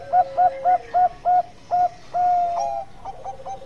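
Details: Zebra dove, Bangkok type, singing a lure song that gets other doves to join: six evenly spaced short coos about four per second, a long held note, then quieter trailing coos from another bird.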